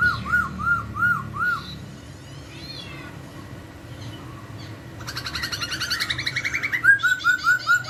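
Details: Laughingthrushes answer each other, a melodious singer drawing a quick reply from a reluctant one. Evenly repeated whistled notes open and close the clip, with a dense, buzzy burst of warbling in the middle.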